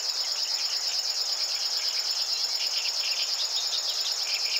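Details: A river warbler near 52.06°N, 20.20°E in central Poland sings a steady, high, insect-like buzzing reel of fast rhythmic pulses, unbroken throughout, with faint chirps of other birds beneath.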